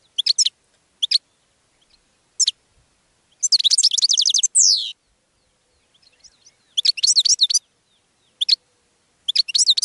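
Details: Goldfinch song in several phrases: quick chirps, then a long rapid twitter ending in a downward-sweeping slur, later more bright twittering bursts after a quiet gap.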